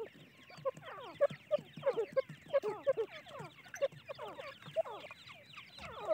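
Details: Francolin (teetar) chicks calling together: many thin, downward-slurred cheeps overlap in a busy, continuous chorus, several notes each second with a few louder peeps standing out.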